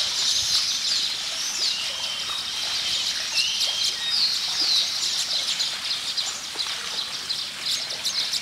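Baya weavers keep up a dense, high chorus of chirps, buzzes and wheezy chatter. Many birds call at once in a steady rush with no pauses.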